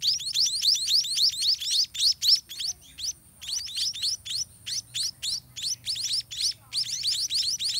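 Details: White-rumped munia chicks in the nest, fed by parents regurgitating food, give rapid, high, thin chirps in dense bursts, several notes a second, with brief pauses between runs.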